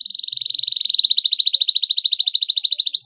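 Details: Canary lure song meant to provoke caged birds into singing: one steady, very fast trill of identical high notes, slightly quickening and growing louder, held for about three seconds.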